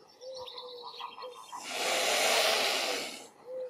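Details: A swan hisses while someone feeds swans and cygnets: a long, loud, breathy hiss lasting under two seconds, framed by soft, thin piping calls before and after.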